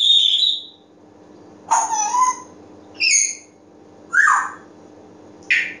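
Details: Pet African grey parrot, recorded by its owner: a sequence of separate loud calls about a second apart, mixing high whistles with harsher, noisier squawk-like notes, in a quiet room.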